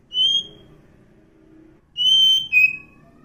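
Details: Wild Oriental magpie-robin in forest giving sparse, pure whistles: one short high note, a long gap, then a sustained whistle dropping into a lower slurred note, with a low hum throughout.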